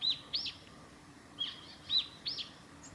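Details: A Japanese tit (Parus minor) on the Hayato River forest road at Lake Miyagase, 28 March 2020, sings bright, high slurred chirps, about five notes in three seconds, with a light background hiss.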